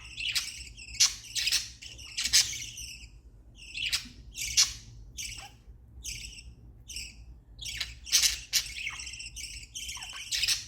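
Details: Pet budgerigars making happy sounds: bursts of short, bright, harsh chirps at irregular intervals, some single, some in quick pairs, with brief quiet gaps and a faint low hum underneath.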